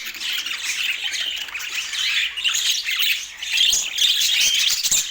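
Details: Pet budgerigars in Portland chatter noisily: rough squawks and bright chirps roughly twice a second, overlapping into a continuous warbling wash.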